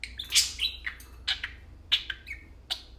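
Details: Pair of tame pet parakeets playing and talking, loud close chirps and warbled chattering syllables in quick irregular sequence indoors.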